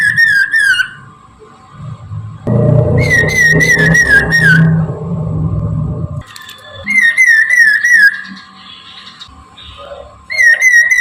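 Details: Whistled morning song of a Chinese hwamei used as a lure: repeated bursts of rich, fluttering whistles with quick rising and falling notes, interrupted by a stretch of loud low rumbling noise, over a steady hum.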